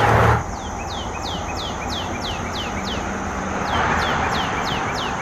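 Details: Northern cardinal (Cardinalis cardinalis) sings in the morning along forest trails in Illinois, USA, giving a fast series of clear, downslurred whistles, about three per second, over a steady low rumble of distant traffic.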